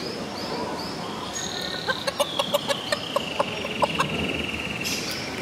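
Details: Small feather-footed chickens at the Biosphäre in Potsdam, Germany, giving a run of about ten short, clipped clucks over two seconds. A long, thin whistled tone runs beneath them, over a steady background hum.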